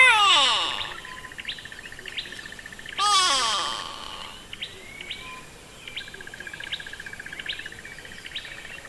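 Grey Go-away-bird giving two loud, nasal, drawn-out descending wails about three seconds apart, while another bird keeps up a quick, high, ticking trill throughout.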